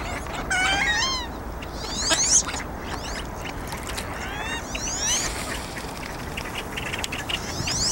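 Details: Several male red-winged blackbirds at Piper Spit, Burnaby Lake, call over one another with sharp slurred whistles and buzzy notes sweeping high and low against a steady background hiss.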